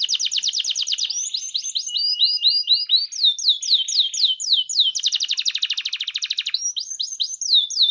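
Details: Canary singing with rich 'gacor cengkok mewah' ornamentation: rapid high trills alternate with series of swooping downslurred whistles and short buzzy passages, all varied and continuous.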